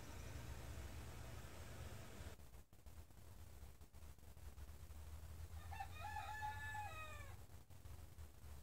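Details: Morning crow from a rooster among many farm chickens: a single cock-a-doodle-doo begins with short rising notes, holds a ringing harmonic tone, then drops at the end, about a second and a half long, over a steady low hum and brief knocks.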